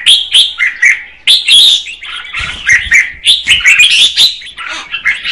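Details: A female red-whiskered bulbul sings to rouse the male, giving lively bursts of quick warbled chirps and slurred whistles in short clustered phrases separated by brief pauses.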